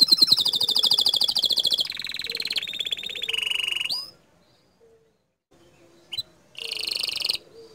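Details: Canary in loud, continuous song: a long series of rapid rolling trills at changing pitches, a rising sweep, a near-silent gap, then another buzzy trill.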